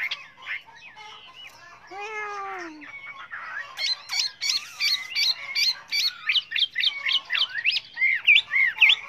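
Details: Chinese hwamei in varied, many-voiced song for training other birds: a harsh, nasal call at first, then a long series of sharp, steep up-and-down whistled notes delivered quickly and evenly.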